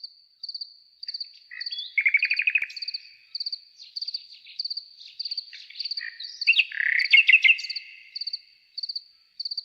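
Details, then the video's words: Nightingale song with loud, rapid trilled and rattling phrases separated by pauses. Insistent high cricket chirping, in regular clusters of a few pulses, runs beneath the whole recording. "ЗВУК СОЛОВ'Я | Який звук видає соловей"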